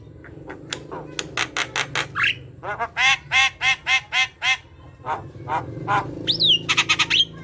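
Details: Gacor Javan myna chatter to lure silent mynas into singing: fast dry clicks, a rising squeak, a series of loud throaty nasal notes about twice a second, then a sharp upward whistle and buzzy clicks.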